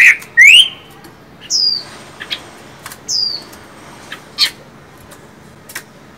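A Chinese hwamei gives a loud rising whistle, then two clear down-slurred whistles separated by sharp chips and clicks, in a quiet setting.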